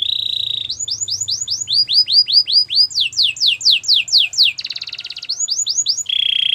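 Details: Gloster canary song of bright, rapidly repeated rising-then-falling whistled notes in several tours, broken by a buzzy rattle and ending on a steady flat trill, with a soft low hum underneath.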